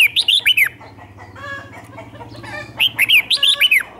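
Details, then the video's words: Red-whiskered bulbul lure song meant to call birds in: quick looping whistled phrases at the start and end, with a lower droning, harmonic sound filling the middle. "Chào mào mồi gọi bổi không tạp âm, tiếng chào mào mồi gọi là đến"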